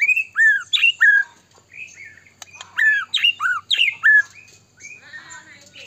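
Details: White-rumped shama in full song, played to stir other shamas to sing and get agitated; rich downslurred whistles and sharp squawky notes delivered in quick clusters separated by brief gaps.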